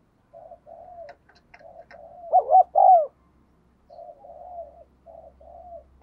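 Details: Spotted dove used as a decoy to lure wild doves: soft low cooing runs, then a loud pair of arched coos in the middle, then more quiet coos, with faint clicks early on.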